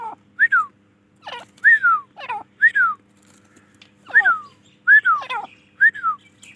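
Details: Grey francolin, called Dakhni teetar, giving loud clear whistled notes that slur sharply downward, uttered singly and in quick pairs with short pauses between bursts, over a faint low steady hum.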